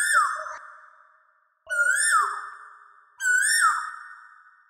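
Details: Asian koel singing: three loud whistled notes, each rising then dropping sharply, repeated about every one and a half seconds, with a bright clear tone and no other notable sounds.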